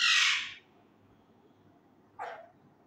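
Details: Pet male Indian ringneck parakeet learning to talk: one loud, harsh, broad screech at the start, then a shorter squawk about two seconds later, with quiet room background between.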